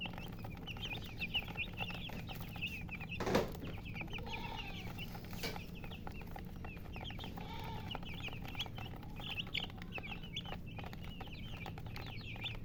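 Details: Several chicks chirp with scattered high peeps throughout, a brief loud knock near the start, and a steady low hum underneath.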